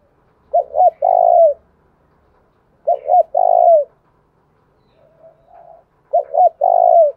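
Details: Spotted dove cooing used to provoke rival males, three full phrases of two brief hooked notes and a drawn-out descending coo, spaced roughly every two and a half seconds, with a faint softer coo heard in between.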